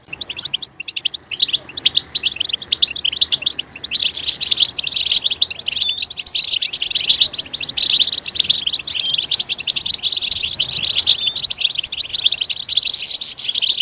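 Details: European goldfinch song meant to stimulate other goldfinches to sing: a dense, continuous, high twittering that starts sparse, then runs unbroken for about ten seconds as a rich, buzzy and tinkling warble.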